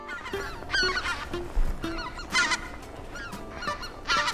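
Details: Flock of greater white-fronted geese flying in V-formation over the Imjin River columnar-joint cliffs in Korea, where they overwinter, giving high, yelping honks that overlap in bursts about once a second as they communicate, e.g. to swap lead position; faint background music.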